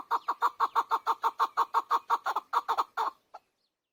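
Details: Keklik, the chakor or Chukar partridge, delivering a steady loud string of throaty chuk notes about four per second, slightly uneven near the end, then a single final cluck.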